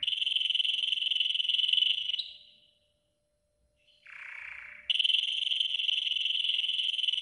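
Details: Training song from a yellow golden canary: a steady, dense buzzing roll lasting two seconds, a silent gap, a soft low hoarse phrase, then the same bright roll resumes.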